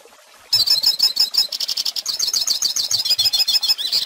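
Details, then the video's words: Hooded siskin song meant for young birds to copy. It starts abruptly after a brief silence, then runs on as a fast, high, chattering twitter of rapid notes. "Pintassilgo Cantando Ensine Filhotes!!!"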